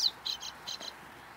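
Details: A brief song fragment from a Bluethroat, a bird of meadows and thickets near fences and gardens: a quick high falling note, then a few ringing, clipped high notes in pairs. Nothing else is heard.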